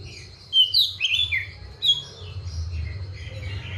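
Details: Captive Oriental magpie-robin (kacer), kept on seven crickets and twice-daily baths, in full song: quick bursts of sharp, sliding whistled notes, then softer scattered twitters against a constant low rumble.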